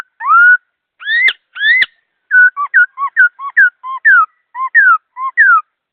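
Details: A laughingthrush delivers a rapid, clear song. It opens with a few long rising and falling whistles, then moves into a quick series of paired notes: a low short whistle followed by a higher downslurred one, repeated steadily. Two faint clicks sound, otherwise quiet.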